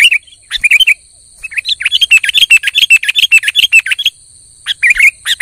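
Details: Sooty-headed bulbul in full, vigorous song, used to provoke a quiet bird into singing: rapid bursts of short, bright, bubbly chirps running for about three seconds after a brief opening phrase, over a steady high electronic whine.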